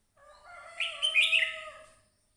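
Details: Red-whiskered bulbul, a crested bird, giving a loud warbled phrase: a soft low-pitched start that rises into bright, rapidly varying whistled notes at the peak, then fades over about two seconds.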